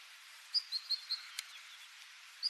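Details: Siberian long-tailed rosefinch uttering a brief run of four or five thin, high whistled notes, then a single note after a pause, over faint hiss.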